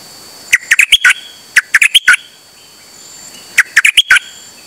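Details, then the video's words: On 8 September 2023 a Dok Taeng bird of the Chao Khan Ngoen type sings without pause while out on a rare trip. It gives quick clusters of sharp, bright chirps in tight bursts, three groups within under five seconds, against faint background hiss. "เสียงนกดอกแตงEp.187 จ้าวขันเงิน นานๆออกเที่ยวสับไม่หยุด!!"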